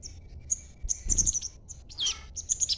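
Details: Young green-phase sogon chattering to coax other birds into answering; short, clear high whistled notes repeat, broken by a rough burst and a downward-sliding squeal near the middle.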